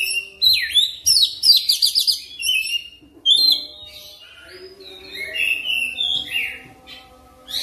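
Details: Oriental magpie-robin (kacer) lure song for training, fast rolling: swooping whistles and rapid dense chirp bursts, a brief gap, then a long varied run of warbled and whistled phrases.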